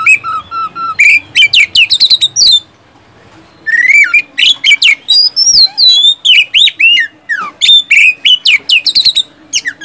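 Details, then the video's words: Oriental magpie-robin lure song for caged kacer that will not sing: fast, loud bursts of whistled sweeps and chirps, one pause of about a second, then a long varied run of rising and falling notes. "SIULAN dan TEMBAKAN kacer satu ini,DIJAMIN ampuh buat pancingan kacer macet malas bunyi jadi gacor"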